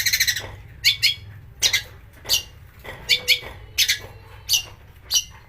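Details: Long-tailed shrike harsh calls used to provoke singing: loud rasping squawks spaced about every half second to second, with faint low whistles between them.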